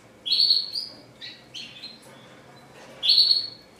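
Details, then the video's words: Red siskin delivering classic-style song in short bursts: bright, slightly buzzy whistled notes with quick chirps, separated by near-silent gaps, a strong phrase returning near the end. "RED SISKIN CLASICC MEWAH GACOR 24 JAM"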